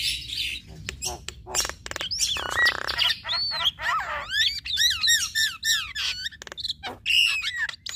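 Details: A pair of Javan mynas, male and female, duet through their repertoire: a loud grating rasp gives way to a chain of arched, looping whistles and chattering notes repeated rapidly.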